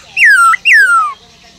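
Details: Two long, clear whistled notes from a caged Black-throated laughingthrush in forest-style song, each starting high and gliding slowly downward, the second longer than the first. Kept to stimulate other laughingthrushes into song.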